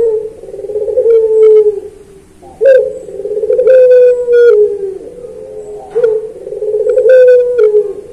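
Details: Captive puter pelung, a Barbary dove kept for long-cooing song, used as a master recording to train other doves. Long, low, drawn-out coos swell and fade, three in a row with brief sharp accents between them.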